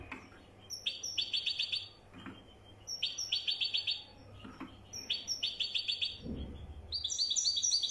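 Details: Wydani-style song of a European goldfinch: three bursts of rapid, tinkling high twitters about two seconds apart, each a run of quick repeated notes, with a soft low thump near the end.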